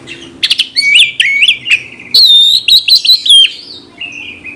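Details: Caged Oriental magpie-robin in full aggressive song meant to trigger fighting: a few sharp clicks, then a fluent run of loud, warbled whistles rising and falling, ending in a softer short note.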